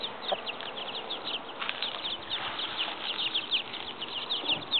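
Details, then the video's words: Seven chicks with their mother hen in a yard: a steady stream of thin, high, downward-sliding peeps from several chicks over a noisy, hissy background. "7 chicks hanging out in the yard with their mother"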